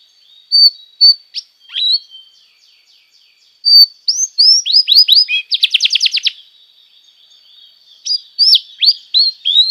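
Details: Canary song meant for training young canaries: sparse thin whistles at first, then a burst of rising slurred notes, a dense buzzy trill, and a final run of sharp upswept chirps.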